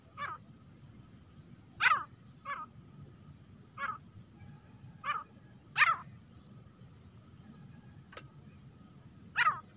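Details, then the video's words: Grey francolin calling: loud, harsh, rasping single notes repeated at irregular intervals of about one to two seconds, over a low background rumble. "teetar ki awaaz-तीतर की आवाज | grey francolin partridge calling voice"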